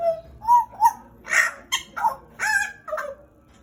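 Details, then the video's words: Loud song of a pet pied butcherbird from Papua, Indonesia, kept around two years: short fluty notes climbing in pitch, then broader, grating bursts and a falling final note, each phrase separated by brief pauses. "JAGAL PAPUA GACOR"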